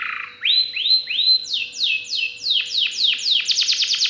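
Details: Canary giving a series of rising whistled notes followed by repeated falling sweeps, accelerating into rapid notes at the end; faint steady hum in background.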